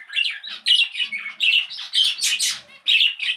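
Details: Budgerigar in a caged breeding setup among cockatiels, lovebirds and finches, singing a clear, close warble of short squeaky chirped notes in quick bursts separated by brief gaps.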